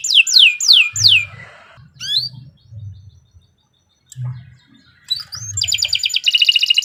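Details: Canary singing a long lively master song for novice keepers: several rising-falling whistled swoops, a short upward note, a pause with low rumbling, then a rapid dense buzzy trill.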